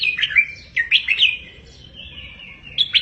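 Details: Red-whiskered bulbul 'double 3-4-5' tutor song for caged birds to learn, with two groups of quick, sweet, slurred whistles, a softer trailing warble, then a sharp closing note.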